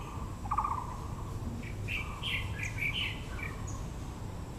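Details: Taiwan blue magpie at Yangming Park, Yangmingshan National Park, Taipei, among azaleas: a short rapid rattle near the start, then a loose cluster of higher squeaky chirps, over steady low outdoor background noise.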